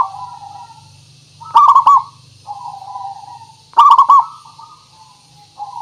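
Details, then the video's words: Zebra dove of a local strain, used as a lure so other birds answer: two loud, stuttering, bubbling coo phrases, each preceded by a softer low coo, repeating about every two seconds. "Suara Pancingan Burung Perkutut Pikat Paling Bagus Supaya Bunyi"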